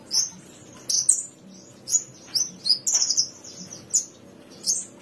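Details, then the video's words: Bushlark song used as training audio for kept songbirds: high chirped notes between 4 and 8k, loose bursts spaced about a second apart over a low background hum. "Kumpulan masteran burung branjangan terbaru tahun 2022, dijamin branjangan anda akan gacor"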